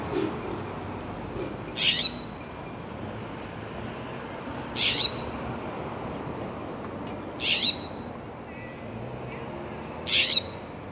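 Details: Jay with a peanut prize, recorded 20 January 2014 at Devon and Pleasant Hill Road, giving four harsh, raspy screeches spaced roughly every two and a half to three seconds, with a constant low rumble of background noise between calls.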